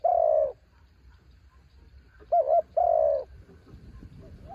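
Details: Decoy spotted dove calling in strong wind: a long falling purr, then a full phrase of a wavering double coo and another drawn-out purr. Faint coos and rustling follow.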